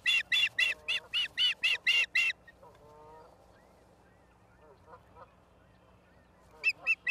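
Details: Osprey calling at a nest in Charlo, Montana, filmed by a live nest camera on 09/11/2023 at 16:04: a fast burst of about ten loud, sharp whistled chirps, roughly four a second, then a quiet gap with faint distant calls and two final chirps.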